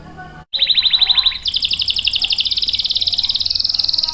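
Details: Canary song for luring and training young males, a rapid rolling trill that steps upward in pitch in two stages and continues evenly to the end.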